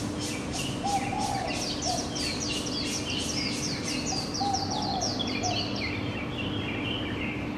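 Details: Birds in a morning chorus, captured on a Canon PowerShot SX700HS camera: a rapid series of high, sweeping chirps over steady hiss and a low hum, with a few lower warbled notes.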